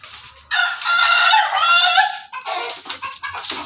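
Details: A rooster crowing while busy eating: a long, loud, harsh crow lasting nearly two seconds, followed by shorter rough cackling notes.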